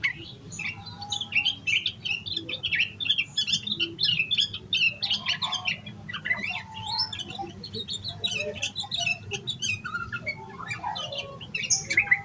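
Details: Yellow-vented bulbul singing vigorously in the excited 'emosi koslet' style, full of varied fill notes, used to prompt other bulbuls to sing; dense overlapping bubbly chirps and squeaky notes pour out almost without pause over a low steady hum.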